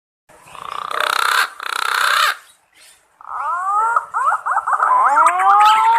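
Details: Green pigeon calling to its companions, recorded as a lure for hunting: two harsh, buzzy bursts, then a run of wavering warbled notes ending in a long rising whistle.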